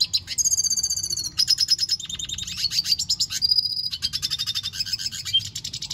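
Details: Red siskin singing hard, pouring out a continuous high twittering song of fast chattering trills, buzzy rattles and sweet whistled notes with almost no pauses; low steady hum beneath.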